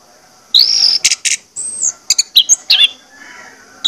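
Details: Orange-headed thrush song used as a lure to make birds sing: a high drawn-out whistle, then sharp chirps and short slurred notes over a faint background hiss.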